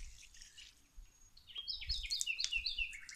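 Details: Birds singing outdoors while plants are watered: quick high chirps and short rising whistles, densely repeated, with dripping water faintly beneath.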